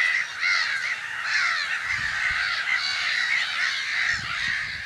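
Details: Nesting black-headed gulls in spring, Brenne in the Berry region of France, mid-March 2012, from an observatory: constant harsh, rasping calls from many birds at once, with faint low knocks in the background.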